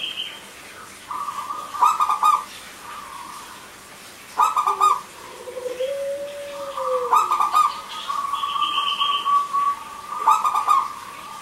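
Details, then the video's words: Zebra dove with a crystal-clear voice, used as a lure for silent male and female doves: bursts of stuttering, rolling coos, a soft arched lower note, and a high whistled phrase from another bird in the background. "Perkutut Lokal Gacor,Suara Kristal Untuk Pancingan Yang Macet Bunyi Jantan Dan Betina."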